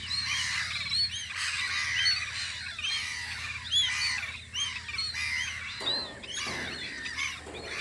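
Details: Many gulls calling together at a guard post on Audru polder in spring, with arched, yelping cries tumbling over one another for several seconds, then a brief lull and renewed calling.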